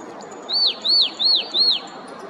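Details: Chestnut-headed Tanager recorded in 2022 at Parque Oriental, Ribeirão Pires, São Paulo state, Brazil, sings four high, arched, slurred notes, each rising then falling, in an even series about three per second over faint background hiss.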